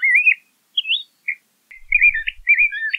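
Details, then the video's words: LeConte's thrasher song of fluid, warbling whistled phrases, some rising and some wavering, broken by brief pauses, with a faint low thump partway through. "LeConte's Thrasher Bird Song, Call, Chirp, Voice - Cuitlacoche Pálido Canto"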